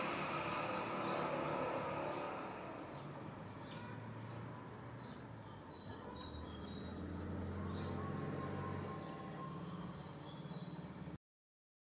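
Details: A passing train rumbles and clatters throughout, with wheel squeal and steady mechanical noise, and no animal voice stands out.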